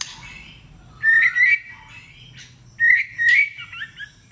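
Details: White-rumped shama singing competitively: two short bursts of warbled, slightly rising whistles about two seconds apart, each with bright high overtones, over a quiet low hum.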